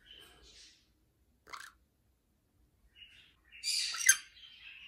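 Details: A pet black-capped conure gives scattered short, high chirps and squeaks, then a loud, harsh burst of squawking with a sharp peak near the end.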